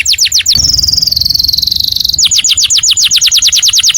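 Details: Canary singing loudly as a model for other birds: a few descending whistles, a long sustained high rolling trill that slowly falls in pitch, then a steady series of rapid sweeping notes.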